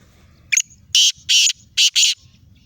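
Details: Black francolin in Sindh, Pakistan, giving a loud, harsh, rasping call: one short scratchy note, then four broad grating bursts in about one and a half seconds, over a low rumble of background noise.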